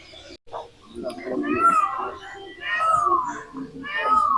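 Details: Indian peafowl calling in the background at sunset beside Darbari Lake, Gajner, near Bikaner, Rajasthan: about three loud, nasal, meow-like wails, each sliding downward, over a man talking and other birds.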